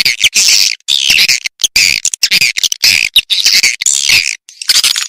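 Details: Edible-nest swiftlet calls from a lure track named Cinta Sayang, used in swiftlet farming to attract birds to bird houses: dense, buzzy, high twittering chatter in rapid bursts with short choppy gaps.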